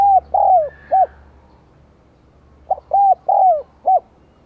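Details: Decoy spotted dove with a 'giọng đồng còi' voice, kept to lure wild doves, calling eagerly: two phrases of four soft hooting coos, a short note, two longer swelling coos, then a clipped final note, separated by a pause.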